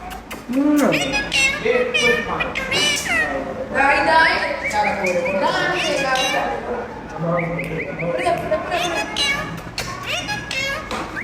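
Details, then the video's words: Green parrot talking: a series of varied harmonic speech-like squawks and phrases with rising and falling tones over about eleven seconds, some sharp clicks, with background music. "Green talking parrot"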